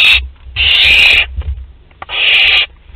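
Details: Young barn owl at Théding, France, 10 July 2021, visiting the parents' food store: loud rasping hissed screeches, one short and two long, each lasting nearly a second, with knocking noises between.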